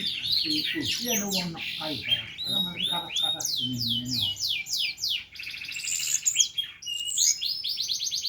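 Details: Black-naped monarch, kept as a songbird, giving a loud, varied song: quick chattering phrases, then a run of repeated sweeping downslurred notes and a fast trill, with fainter low murmuring beneath.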